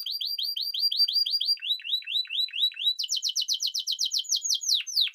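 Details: Spanish timbrado canary singing: rapid repeated rising-falling notes, a lower run of the same phrase, then a faster high trill with a few falling sweeps at the end.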